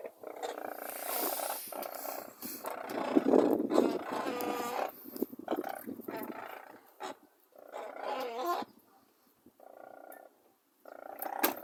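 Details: Several Brolgas near Longreach, Queensland, Australia, giving dense, overlapping trumpeting and croaking calls for several seconds, then a more broken series of harsh, pulsed honks separated by short silences.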